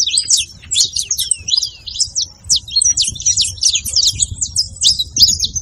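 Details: High-pitched saffron finch chatter for firing up a cold canary, made of sharp tweets and fast slurred notes in irregular bursts, with a low rumbling undertone.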